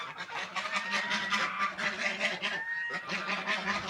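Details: Ducks feeding and drinking keep up a steady stream of harsh, nasal calls, several birds overlapping, with thin whistled tones woven through.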